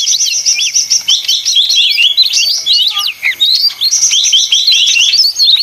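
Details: Noisy leafbird song: fast runs of repeated sharp high chirps alternate with looping whistled phrases, a short dip near the middle, then another rapid chattering burst.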